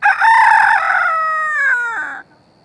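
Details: Silkie chicken, first thought to be a hen, crowing one loud, harmonically rich cock-a-doodle-doo that holds steady, then bends downward in a falling final note before cutting off.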